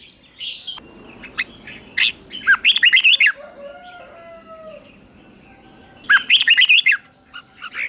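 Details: Red-whiskered bulbul in morning training for contest singing, with rapid bright warbled phrases repeated twice, several seconds apart, over softer chirps and whistles from other birds.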